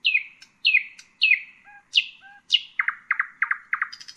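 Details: Common nightingale song phrases: loud downslurred whistles repeated about twice a second, with soft low notes between, then a quicker series of short clipped chirps.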